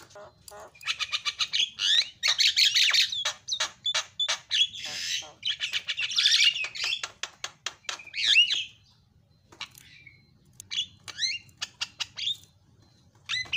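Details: Starling recording played to provoke a quiet bird into singing: rapid dry clicks and rattles accelerating into dense, scratchy chatter with whistled slurs, then sparser twisting notes after a short pause.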